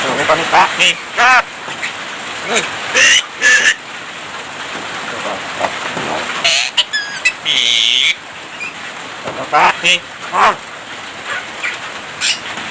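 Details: Javan myna in full song, its repertoire filled with imitations of human voices and coughing; dense chatter of harsh broadband bursts, stacked nasal harmonic notes and a long buzzy rasp near the middle, delivered in quick irregular runs.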